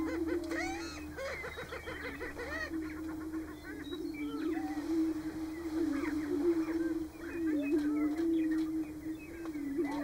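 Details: Greater prairie-chicken lek in Nebraska in March, several males displaying and defending territories. An unbroken low moaning hum underlies a busy scatter of short whooping cackles, which are thickest in the first three seconds.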